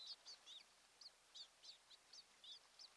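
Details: Osprey pair at their nest on Kent Island, Maryland, on a June morning in 2018: faint, high, thin chirps in an uneven series, about one per second, heard at a distance over soft outdoor background noise.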